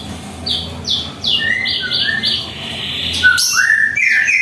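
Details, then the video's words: White-rumped shama in a home setting in the morning: a series of quick high chirps repeated about three times a second, blending into lower whistles and ending in rising warbled notes. "Masteran suara burung murai"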